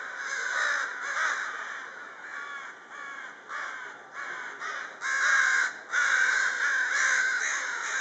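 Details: Evening gathering of crows giving hoarse caws in separate bursts, quieter at first and growing louder and denser toward the end, several birds calling over one another.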